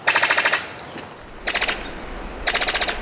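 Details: Male Brown Sicklebill courting females from a display branch cleared in the forest in breeding season: three bursts of rapid, rattling clicks, each about half a second long and two seconds apart, like machine-gun fire.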